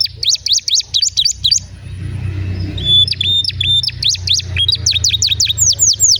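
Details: Canary song meant to set other canaries singing: clipped rapid chirps, a pause over low rumbling background noise, then a flat whistled note and renewed fast repeated sweeping notes.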